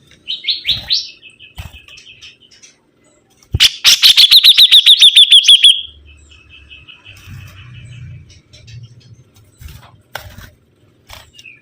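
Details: Sibuntung bird in lively song: a few chirps and a level trill, then a loud, very rapid series of about twenty sharp ticking notes. A quieter trill follows, with faint low background rumble.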